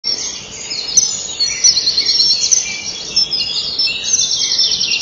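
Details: Common kingfishers at a nest-wall camera at 05:09 on 30 May 2012: the male brings a small fish to the female on her perch and stays beside her while she eats. Dense, shrill high chittering with thin sharp whistles throughout.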